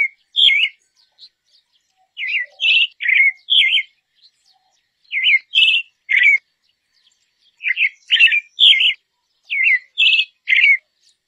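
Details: Dusky thrush calling steadily over eleven seconds: clusters of two to four sharp squeaky notes, mixing trilled and slurred downward whistles, repeated with short gaps in a quiet setting.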